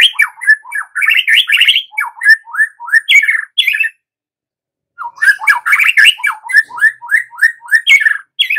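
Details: Lure song of the white-rumped shama for coaxing young forest-caught birds into full, continuous singing: rapid bursts of varied whistles, slurred upward notes and scratchy chatter, a second-long pause, then another dense sequence of repeated rising whistles.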